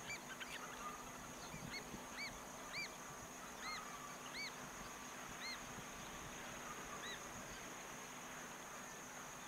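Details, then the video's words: American oystercatcher calling: short arched piping notes repeated irregularly, about ten across nine seconds, some doubled, over steady background hiss and low rumble. "Piru-Piru (American Oystercatcher)"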